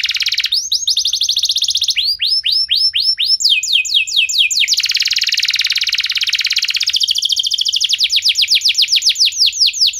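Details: Canary song intended to set off other canaries: a fast chattering start, groups of repeated sweeping notes, a long rapid buzzing trill, then a quick run of descending notes.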